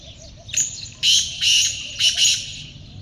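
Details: Black francolin, locally kaale teetar, heard in a hunting context: a short rough note opens, followed by paired loud, buzzy, grating bursts, harsh and wide-ranging, with light background hum.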